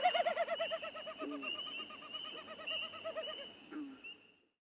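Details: Wilson's Snipe winnowing in its courtship display flight: a hollow, tremulous hooting that pulses rapidly and wavers in pitch, made by air rushing over its specially adapted tail feathers; a few brief lower swooping notes mixed in.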